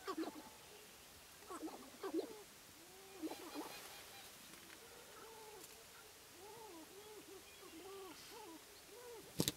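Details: Male sharp-tailed grouse at a spring lek in the Namekagon Barrens, Wisconsin; soft, evenly spaced arched cooing notes repeated about twice a second, with a few louder cackles early and a sharp click at the end.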